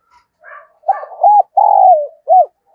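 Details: Caged decoy spotted dove giving its morning call in thúc and chiêu style: faint chirps, then a rough coo, a short hooked note, a long descending throaty coo and a closing short coo.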